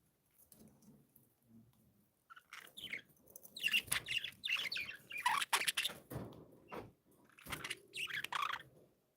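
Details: Several cheerful pet budgies chatter in lively bursts of squeaky, warbling chirps, rising to a dense, noisy jumble mid-way, with brief quiet gaps and a few sharp clicks.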